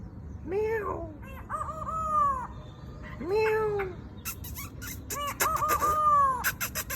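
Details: White-browed laughingthrush singing gently to tutor a young bird, imitating a rooster's crow: drawn-out arching, harmonic phrases that rise and fall, separated by brief pauses, with some sharp clicking notes near the end.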